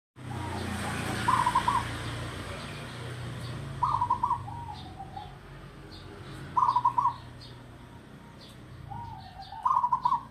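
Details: Mature local wild-caught zebra dove kept for decades, singing short rattling trilled coo phrases of rapid pulses, repeated about every two and a half seconds, four phrases, with soft low background rumble and faint high ticks.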